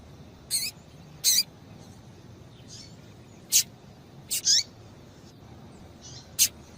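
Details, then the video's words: A female Double-collared Seedeater gives calls that warm up a male for singing: six brief, high-pitched chirps at uneven intervals, some paired, with faint softer notes between them. "Piado de Fêmea de Coleiro para Esquentar Coleiro"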